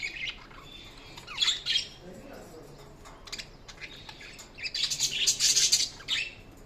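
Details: Budgies chirp in short high bursts with descending squeaky notes, a pause with faint murmur, then a loud rapid chattering burst of buzzy warbles near the end.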